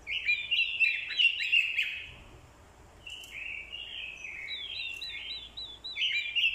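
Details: Decoy orange-headed thrush singing a fighting song after hearing a female's call. Loud, rapid warbled phrases lead into a run of repeated rising-and-falling whistled notes, then more strong warbling.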